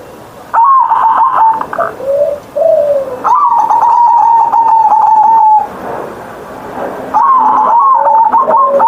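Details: Pet perkutut, or zebra dove, cooing gacor each morning with a big 'ngerot' voice, also played to rouse quiet birds: long drawn-out level coos separated by shorter dipping notes, repeated in three phrases.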